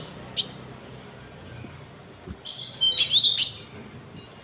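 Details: Konin (golden-bellied gerygone) singing, a recording meant to lure wild birds and train caged ones: sparse high whistled notes, several thin downslurred whistles and a pair of rising sweeps near the end, in a quiet background.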